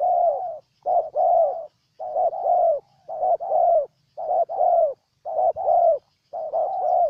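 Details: Vietnamese spotted dove from Ninh Thuận repeating its hollow two-part coo six times in seven seconds, a clipped note leading into a fuller falling one, loud and close with a quiet background hum.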